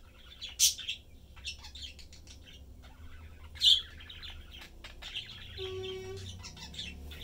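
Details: Pet budgerigar family of three, a blue father, yellow mother and their young, chatting and eating indoors; scattered sharp chirps and soft warbling chatter with two loud squawky notes and a brief low hum.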